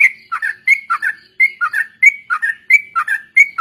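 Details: Sooty-headed bulbul song for training other birds: clear whistled two- and three-note phrases, a low dip followed by a level high note, repeated in an even rhythm about every half second.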